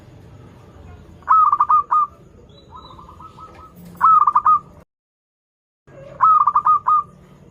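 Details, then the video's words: Chatty local zebra dove singing, meant to draw out doves still learning their song. Several trilled, purring coo phrases repeat every second or two, broken by a sudden one-second dropout; faint low rumble underneath. "PERKUTUT LOKAL GACOR Suara Merdu || pancingan paling disuka perkutut yg belajar manggung"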